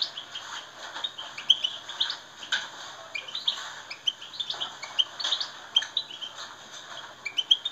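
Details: Twittering European goldfinch song meant to set other goldfinches singing: a steady stream of bright, high chirps and short buzzy trills in quick uneven bursts over a faint background hiss.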